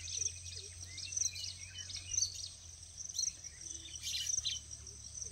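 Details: Several breeding male baya weavers at Pabe ghat, Pune, India, in the early morning in July 2022, chatter together in high, thin chirps and sizzling wheezes, overlapping at about one burst per second, with a low steady hum beneath.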